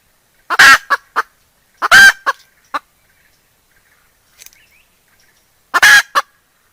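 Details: Calling decoy hen meant to attract wild roosters, giving three loud, rasping squawk clusters, each a strong harsh note trailed by two or three shorter clucks, with long silent gaps between bursts.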